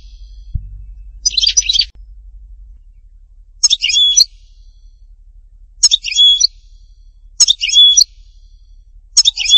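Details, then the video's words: European goldfinch associated with Htatba, Tipaza, uttering short, sharp bursts of high twitters and a thin whistle, repeated every one and a half to two seconds, preceded by a low thump. "chant chardonneret htatba tipaza حسون حطاطبة"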